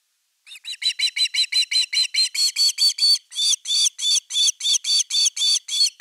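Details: On 30 August 2021 at nest #3, an Osprey calls as an evening fish arrives: a long, unbroken string of about twenty-five sharp, whistled chirps at an even, rapid pace.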